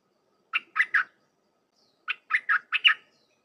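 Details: Red-whiskered bulbul Dok Taeng style song used to train hand-raised and wild-caught youngsters: a short three-note chirpy phrase, a pause, then a fuller five-note run of bright warbled notes.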